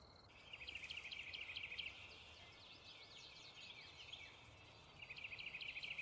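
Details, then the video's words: American kestrel while eating prey, rapid high chittering trills in two bursts with a quieter stretch of scratchy notes between, against a low rural background noise. "American kestrel call sound, eating prey"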